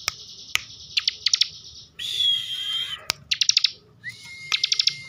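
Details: Kept bar-winged prinia in Slawi, Tegal, Central Java, delivering bren-style song: quick clicking trills, a harsh sustained buzzy note, then a rising whistle levelling into a long steady tone.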